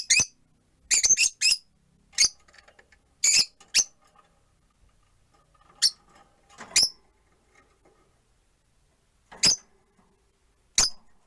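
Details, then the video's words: Four rosy-faced lovebirds in a cage by a window: a flurry of shrill high chirps at first, then single sharp chirps spaced a few seconds apart over faint room and street background. "Lovebird Chirping Sounds"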